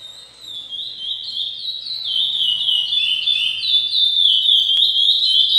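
A chestnut-bellied seed finch sings a loud, continuous run of clear, fluty whistles that slide up and down, with a faint low hum behind.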